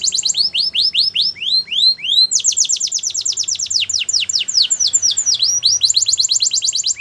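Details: Canary singing a training song, opening with slow upward-swept whistles then breaking into fast rolling trills of downward sweeps, high and unbroken throughout.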